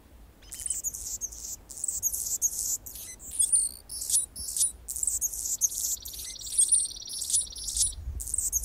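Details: Male Anna's hummingbird defending its territory while a female feeds a baby in the nest: continuous very high, scratchy, buzzy chatter of rapid clicks and squeaks, with a thin sustained whine partway through.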